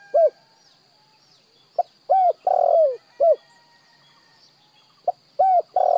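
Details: Repeated spotted dove phrases for decoy training: a quick note, a round falling coo, a drawn-out hoarse coo, then another coo. The phrase repeats after a gap, with a faint continuous whine.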